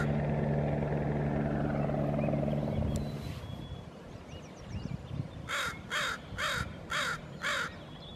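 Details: A Northwestern crow (Corvus brachyrhynchos caurinus) in the Squamish River Estuary, British Columbia, gives five harsh, hoarse caws in quick succession, about two per second, after a low engine rumble fades.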